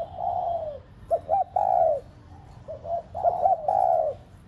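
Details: Spotted dove used as a lure bird to prompt caged doves to coo: a long soft falling coo, then short doubled notes leading into another sustained coo, repeated in an uneven rhythm.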